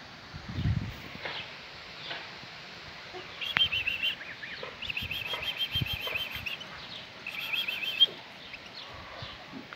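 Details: European goldfinch enjoying lettuce; quick buzzy twittering bursts around four, five to six and a half, and eight seconds, with soft rustles and low thumps in between.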